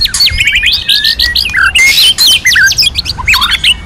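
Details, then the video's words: Dense, energetic white-rumped shama song for bird training, with the female's singing meant to stir males: overlapping sharp whistles, quick upward and downward slurs and rattling notes in a continuous tumble. "Luyện Chòe Lửa HÓT NHIỀU GIỌNG HAY + MÁI HÓT Kích Trống"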